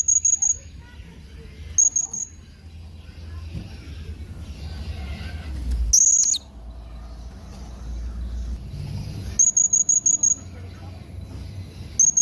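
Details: Yellow-throated hanging parrot giving short bursts of very high, thin, squeaky notes, four to six in quick succession. The bursts come every few seconds and stand out over low background rumble.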